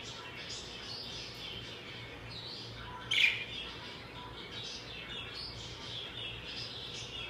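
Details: Morning chirping of a budgerigar, a soft continuous high warble of chattering notes with one sharper, louder squeak partway through, against a faint constant low hum.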